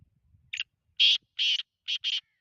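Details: Black francolin call in a quiet setting: a brief soft opening note followed by a loud rasping burst, a drawn-out harsh note and a rapid two-part ending, each note high, buzzy and clipped.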